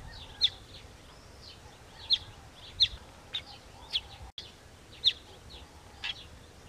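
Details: Southern masked weaver at the nest giving a loose series of sharp, high chips, some louder and some faint, at irregular intervals of about half a second to a second, with a short dropout and soft background hiss.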